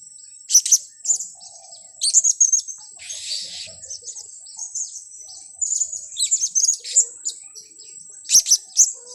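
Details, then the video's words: Blue-crowned hanging parrot calls used as a trapping lure. Scattered clusters of piercing high chirps and short twitters arrive in uneven bursts, with a brief hissy rush and a persistent high tone in the background. "Pelapis pikat"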